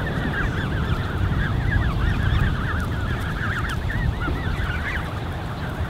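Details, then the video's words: Canada goose goslings, a creche of 30+ young recorded on 13 June 2015, fill the air with continuous thin wavy peeps from many birds overlapping, with a deep background rumble throughout. "Peeping Canada Goose Creche (An Army of 30+ Goslings)"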